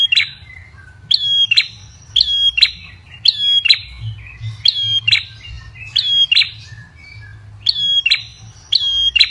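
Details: Ashy tailorbird lure call giving sharp, high, metallic chip notes, singly and in quick pairs, about once or twice a second, over a faint low hum.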